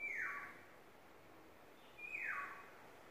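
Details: Courting yellowbird repeating a falling, slurred whistle twice, about two seconds apart, over a quiet background.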